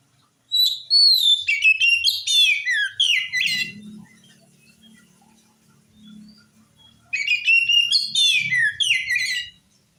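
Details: Oriental magpie-robin song used to get other magpie-robins to respond: two energetic bursts of mixed whistles, slurred notes and chatter separated by a pause with faint low background hum.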